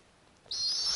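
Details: Female snowy owl at the nest with hatching owlets in the Arctic, offering food; a sudden loud, hissing high screech starts midway and holds steady to the end.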